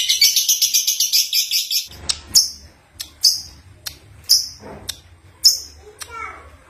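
A young lovebird gives a fast burst of high, shrill chirps, then sharp single chirps about every second, with a few scratchy descending notes near the end over a faint low hum.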